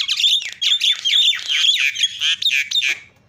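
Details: Continuous raucous chatter from a Javan myna, harsh buzzy notes with wavering whistled tones running together without pause, used to provoke reluctant mynas into calling.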